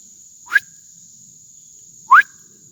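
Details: A Northern Cardinal gives two clear, rising whistled notes about a second and a half apart over a steady high insect-like hum, on a Sunday around 11:30 in woods after heavy rain the day before.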